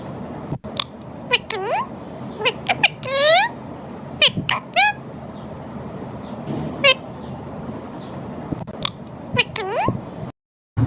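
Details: Talking Alexandrine parakeet (Psittacula eupatria) gives a string of short, nasal, mew-like calls that swoop up and down, with a few sharp clicks and a low steady hum behind.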